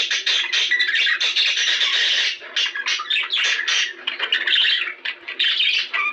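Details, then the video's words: Budgerigars kept as pets, in a recording intended to stimulate mating: steady scratchy chattering with dense squeaks and buzzes, easing slightly toward the end. "بهذا الصوت ستتزاوج طيور البادجي غصبا عنها"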